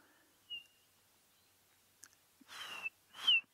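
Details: A Chinspot Batis gives a brief, half-hearted call on safari at sunrise, 8 November 2016: a thin, high whistled note, then two louder, breathy, slurred notes dropping slightly in pitch.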